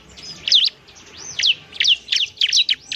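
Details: Bar-winged prinia (ciblek), semi-gacor, recorded as training material. Spaced high chirps and rising-falling arched notes, a few per second, against a quiet background.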